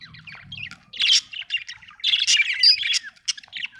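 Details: Budgie chirps: a dense stream of fast, high twittering and scratchy chatter, with loud bursts and a few clear whistled squeaks, plus a faint low rumble at the start.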